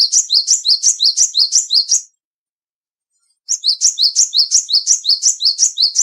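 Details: Loud song of a small, agile Bar-winged prinia, black, white and grey: two long runs of quick, ringing high chirps with a down-up flick, about three per second, separated by a silence of over a second.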